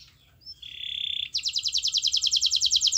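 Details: Canary song intended to coax other canaries to sing: a short whistle and a steady buzzy note lead into a long, loud, evenly pulsed high trill.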